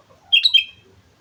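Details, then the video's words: Sooty-headed bulbul from Mount Slamet, in lively song: a quick phrase of three bright whistled notes, slurred and bubbly, lasting under half a second, with a quiet background. "suara burung kutilang gacor gunung slamet"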